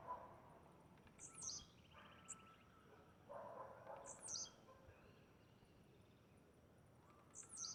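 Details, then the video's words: Wild blue-black grassquit singing in nature: short, high, buzzy bursts repeated about every three seconds, three in all, with faint lower twittering from other birds between them. "Tiziu cantando na natureza"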